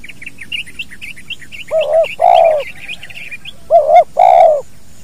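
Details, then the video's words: Spotted dove giving the two-part 'kuk dua' call in a natural recording meant for training other birds: two low cooing phrases, each a short wavering note followed by a longer steady coo, preceded by a run of high, thin chirps from another bird. "SUARA BURUNG TEKUKUR KUK DUA UNTUK MASTERAN ALAMI."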